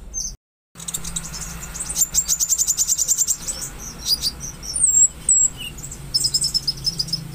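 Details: Olive-backed sunbird (konin) song played to prompt a silent or stressed konin into full song: a very high, thin, rapid trill after a brief pause, then sharp piercing chips and short high twittering bursts.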